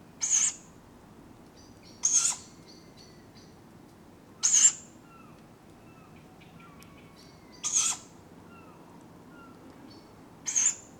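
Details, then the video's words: Tawny owlets begging for food at dawn in July in Padarn Park woodland: five harsh, hissing shrieks at irregular intervals of two to three seconds, with faint thin whistles of other birds between them over a low background hiss. "Sound of Tawny Owlets calling for food at dawn"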